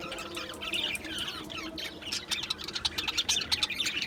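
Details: Australian budgerigars calling together in an aviary on 11 July 2025: fast, uneven run of high chirps and twitters, about three notes a second, growing busier in the second half.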